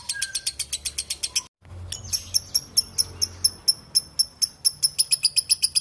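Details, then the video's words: Lovebird chatter in two parts split by a short silent gap: first a run of raspy high notes, then cleaner, sharper chips repeated quickly and quickening toward the end. "LOVEBIRD NGEKEK PANJANG SUARA JERNIH"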